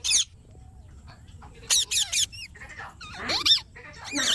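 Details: Parrot giving scattered harsh screeches and short rasping squawks, with quiet gaps between bursts and a few rising squeaky notes near the end.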